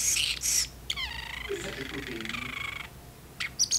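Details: Caged parrotlet talking to its owner indoors during dishwashing; hissy high bursts, then a long wavering harmonic, word-like phrase, and a few closing chips.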